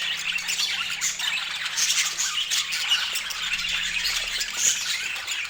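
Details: Colourful pet budgerigars chattering together: a dense, continuous wash of high chirps, squeaks and warbles with no pauses, several birds calling over one another, and a faint low hum underneath.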